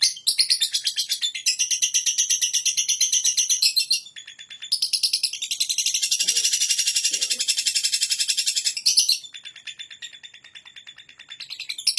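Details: Lovebird giving extended ngekek chattering: long bursts of rapid, piercing, buzzy pulses, interrupted twice by short quieter pauses before resuming.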